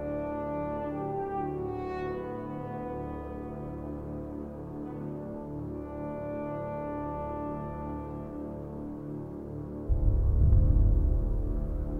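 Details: Sustained horn-like brass tones hold steady chords throughout, with a burst of low rumbling noise near the end and no animal voice.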